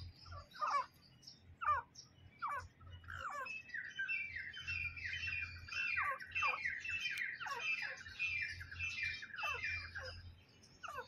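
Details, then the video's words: Wild grey francolin calling: a few spaced, sharp descending notes, then a rising run of rapid, harsh, chattering calls that continues steadily to the end, with a low hum beneath. "jungali teetar ki awaaz"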